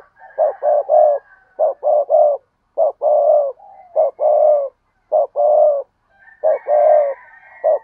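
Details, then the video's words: Repeated spotted dove cooing, a phrase of short low coos and a longer hoot given over and over with brief pauses, a faint higher twitter from other birds now and then. "cu gáy"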